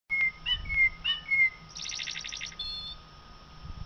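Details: Common blackbird song: a series of clear whistled notes near the same pitch, then a rapid, high, scratchy twittering burst that trails into a few thin high notes, over a faint steady hum.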